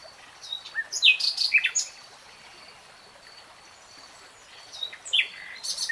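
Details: Bird song near flowing water in woodland: two short bursts of varied, twisting chirps and scratchy notes separated by quiet stream noise.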